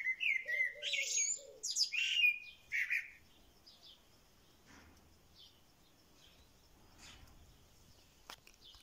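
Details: A bird sings in a corral, giving a quick run of buzzy and whistled chirps with sharp rising notes over about three seconds, followed by near silence with faint distant sounds.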